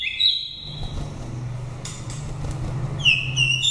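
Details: Oriental magpie-robin from Dak Lak, Vietnam, a nest-raised bird of five seasons with a pure wild-type voice used to stir up birds or lure wild ones; bright whistled notes open and close the phrase, over a steady low hum.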